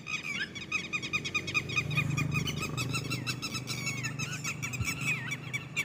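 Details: Rapid high peeping from red-wattled lapwing chicks, notes tumbling quickly with a few upward-bending whistles, accompanied by a low humming rumble.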